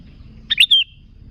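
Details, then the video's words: Sooty-headed bulbul, a single song phrase played to attract other bulbuls: two quick chirps followed by a clear falling whistle, clean and loud against faint low hum. "Suara Burung Kutilang Gacor ASLI Tanpa isian, Ampuh untuk Pikat Kutilang"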